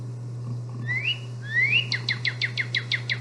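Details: A male Northern Cardinal whistles two clear rising slurred notes, then a quick series of about nine sharp downslurred notes, over a steady low hum.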